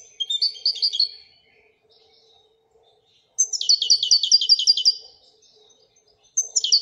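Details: Royal goldfinch giving a short twittering phrase, a silent pause, then a long fast trill of chiming notes and the start of another, over a faint hum.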